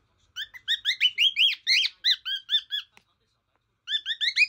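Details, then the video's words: Pet male cockatiel chirping to its portrait: a fast string of bright, bending notes, some louder and more squeaky, then a short pause and a fresh burst of four rising chirps. "Cute Cockatiel Jojo Sings to His Portrait!"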